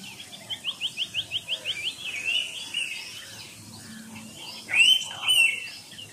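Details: Indian pitta giving a distinctive two-note whistle near the end: a loud clear rising note and then a second, softer note. Before it comes a quick run of about nine soft rising chirps, with faint insect hum throughout.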